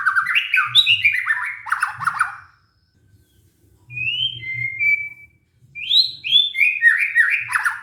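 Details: White-rumped shama lure song meant to bring a stressed caged bird back into song: rich whistled phrases stepping down in pitch, a pause, then a high pure whistle and more descending, slurred notes.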